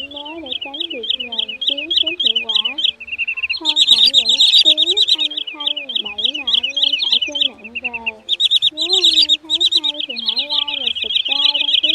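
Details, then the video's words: Shorebird lure track of white-bellied sandpiper (choắt bụng trắng) and rẽ hôi for night netting of migratory birds, August 2023: dense, shrill, rapidly repeated chips over long stretches, briefly pausing, layered with lower swooping and wavering whistles throughout. "Tiếng Choắt Bụng Trắng , Rẽ Hôi Bẫy Lưới Đêm Chim Di Cư"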